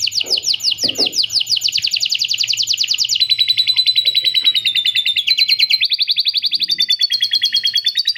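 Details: A captive canary sings a long, unbroken run of bright, rapid trills, switching every second or so between buzzy rolls and clear, high whistled tours, with lovebird laughing-trill phrases worked into its song.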